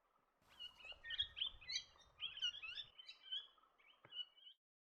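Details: Swift parrot, a species that breeds in Tasmania in summer and feeds on flowering eucalypts in small groups; a quick run of high, sharp chirping notes lasting about four seconds, ending in one longer clear whistle over a quiet background.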